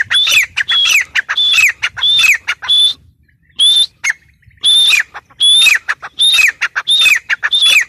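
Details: Grey francolin calling: loud, sharp, high whistled notes delivered in rapid clipped bursts, grouped into repeated phrases, with a brief pause near the middle before the series resumes.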